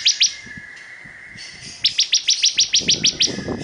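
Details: Bar-winged prinia, known locally as ciblek kristal, singing energetically: bursts of sharp high clicking chips repeated rapidly, about three per second, joined by a thin sustained whistle, with faint low knocking underneath.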